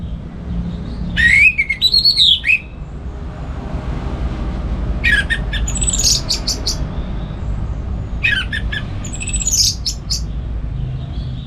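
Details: Orange-headed thrush singing in the morning at home in Singaraja, North Bali, kept as a song tutor for other caged birds: three short bursts of bright, varied, arching notes separated by pauses of several seconds, with a steady low rumble behind.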